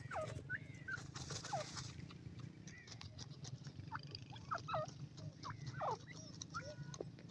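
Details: Young grey francolin chicks, ten days old, feeding in grass, giving thin falling whistles and brief chirps at irregular intervals, several birds overlapping, with a constant low rumble underneath.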